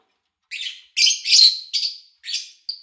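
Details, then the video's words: Lovebirds kept by an owner, recorded in early August 2019 over three days from morning to evening; harsh, buzzy chirps in short bursts with brief gaps, some ending in a thin whistled note, clean with no other sounds. "Sounds of Lovebird Chirping"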